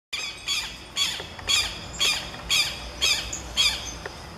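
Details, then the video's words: Southern lapwing duet song: loud harsh squawking notes, broad and buzzy with strong harmonics, repeated about twice a second in a steady series, with faint background noise outdoors. "CANTO EM DUETO DO QUERO QUERO Vanellus chilensis, Southern Lapwing"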